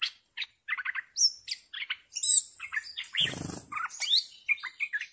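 A bulbul chatters a rapid, jumbled run of short whistled and gurgling notes, mid to high pitched, over a steady thin electronic whine and one brief scraping noise.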